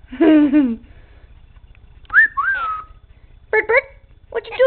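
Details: Pet male Quaker parrot indoors, acting silly and shy, mimicking speech: a low harmonic word-like phrase, then a rising-falling whistled slur and short harmonic chirps, with a person's voice nearby.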